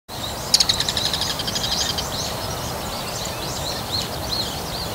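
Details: Bull-headed shrike calls, one of several types such as high-pitched calls, alarm, subsong and mimicry: a quick series of harsh clicking notes near the start, then scattered thin, squeaky chirps in a quiet outdoor setting.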